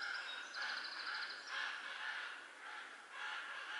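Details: Hungry common raven nestlings, four of them about three weeks old, calling from their nest in the Göttingen region in April; raspy, hoarse begging notes roughly twice a second, with a thin rapid trill early on.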